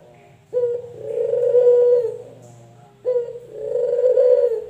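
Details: Male puter (collared dove), local or white variety, giving two coos. Each opens with a sharp note and swells into a long, rolling, sustained coo. A low hum runs underneath.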